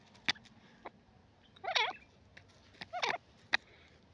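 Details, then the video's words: Grey francolin, or teetar, calling: two harsh, ragged, squealing bursts about a second apart, among scattered sharp clicks over a quiet background. "teetar ki boli"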